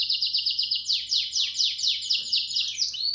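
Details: Belgian canary singing, used to stimulate chicks: a steady high trill that turns into a series of quick descending slurred notes, repeated about twice a second, ending in a short rising whistle.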